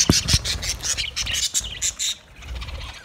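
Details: Budgerigars giving a run of short, scratchy, high chirps in quick bursts for about two seconds, then going quiet, with low background rumble.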